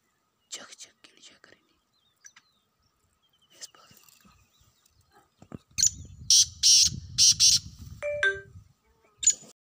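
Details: Wild black francolin giving a harsh series of four grating, buzzy bursts, with scattered softer chirps before it, low rumbling wind or handling noise underneath, and a few short whistled notes after.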